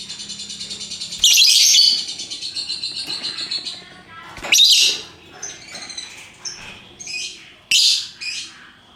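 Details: Lovebirds of varied colours in ngekek song: quiet fast rhythmic rattling, broken by loud harsh rasping bursts, followed by shorter scratchy squawks and chirps at uneven intervals.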